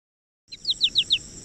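American Goldfinch flight call: a quick run of four or five short, high, bright notes, the familiar 'potato-chip' pattern, over a faint steady hiss.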